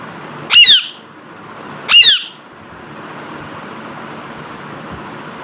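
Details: Alexandrine parakeet kept indoors, relaxing in front of a mirror, gives two loud, harsh squawks about a second and a half apart, each a short rasping burst with a bent whistled tone inside, over a quiet room hiss.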